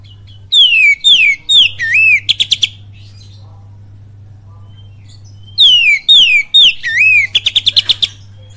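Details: Two loud phrases from a kacer in full kapas tembak cililin style, used as a lure: each has falling swooped whistles, a looping warble and a rapid rattle of clicks, separated by about three seconds of near silence.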